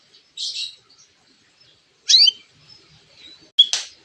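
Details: Lovebird-like notes from a white-rumped shama, sung to rile other birds into singing: three separate high, harsh, buzzy chirps and screeches spaced about a second and a half apart, with faint chatter between them.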